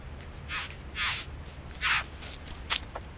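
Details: Bowerbirds singing while nesting in a back yard: four harsh, hissy bursts spaced unevenly over three seconds, with a thin high click near the end against steady low background rumble.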